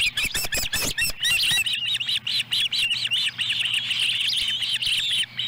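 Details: At the nest in Lolo, Montana, on July 18, 2017, the female osprey feeds a small fish to a chick. Loud clicks and knocks open the recording, then a steady stream of high, rapid chirps runs on without a break.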